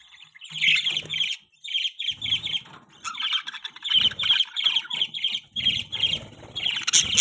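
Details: Budgie chirping in bursts of bright, rapid high notes, nearly continuous, with soft low thumps and rustling between phrases.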